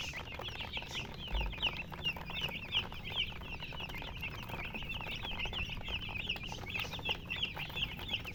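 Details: Group of baby chickens chirping, bright high peeps with downward and upward bends, tumbling over one another steadily, with soft background rustle and a faint thump.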